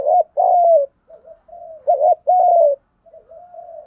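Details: Thúc gù cooing of spotted dove, for training birds: two strong phrases, each a looping note then a longer dropping coo, with soft, flat murmured coos between and after.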